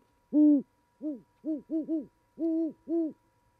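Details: Two great horned owls, a mated pair, hoot to each other at an osprey nest in Charlo, Montana, in January during mating season, caught on a live nest camera; six deep, low hoots with harmonics, one long, then shorter paired notes, and a steady faint hum.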